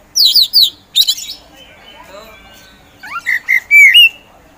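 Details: Caged Oriental magpie-robin (kacer) kept for song contests: sharp chattering notes, a quiet gap with faint twittering, then rising clear whistles ending in a loud drawn-out whistle.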